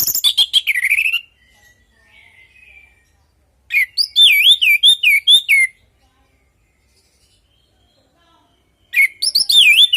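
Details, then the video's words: Orange-headed thrush in vigorous natural song, used to encourage other birds to answer: rapid buzzy chips falling into a whistle, then a run of looping wavering whistled notes, several seconds of silence, and the looping phrase begins again. "Pancingan burung anis merah|Agar nyaut Dan ikut ngeplong|"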